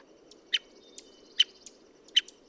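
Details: American Three-toed Woodpecker from Washington's higher-elevation forests giving its contact call: three sharp, high, clipped pik notes spaced under a second apart, with fainter softer notes between and a low steady hum beneath.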